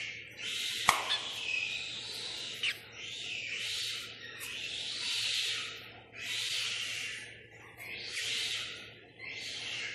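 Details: Two young boat-billed heron chicks, newly hatched and four days old, at Prague Zoo, Czech Republic, during a keeper check: repeated rasping hisses, roughly one every one to two seconds, with a sharp tap early on.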